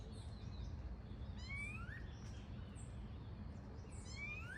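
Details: Wild Variable oriole in natural habitat singing rising whistled slurs, each phrase a short stacked note then an upward glide, repeated twice; other birds chirp high in the background against constant low noise.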